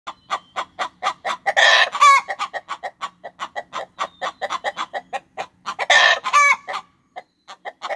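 A Buff Orpington hen clucks in quick, uneven bursts, about two or three per second, broken twice by loud, harsh squawks.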